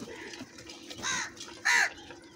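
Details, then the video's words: Many crows calling loudly together: two harsh, nasal caws with stacked overtones, the second louder and longer, over a low murmur of background noise. "Very loud voice of Crow sounds, Large numbers Of Crows Voice | Crow ki Awaz Loudly"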